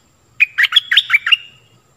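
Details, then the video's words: Stripe-throated bulbul song for teaching young birds and luring wild birds: one brisk phrase of about six liquid, warbling whistled notes ending in a thin trailing tone, background quiet. "เสียงต่อนกดอกแตงEp.38 Birds sounds เสียงชัด เปิดดอกหลายเพลงนกป่าเข้า100%Burung merbah lekir"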